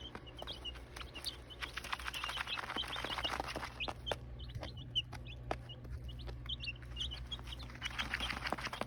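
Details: Nine seven-day-old chicken chicks peeping: many short high cheeps overlapping continuously, with steady low hum and scattered clicks and taps in the background.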